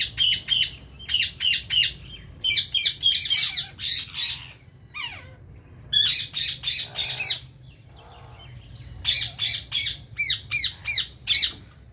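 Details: Ring-necked parakeets in India giving bursts of harsh, screechy squawks in quick series of four to six, separated by short pauses, over a steady low hum.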